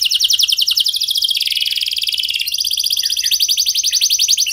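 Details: Canary song used to prompt other canaries to respond: a fast, continuous trill of rapid high notes, shifting tempo midway into a slightly lower, steady rattling series.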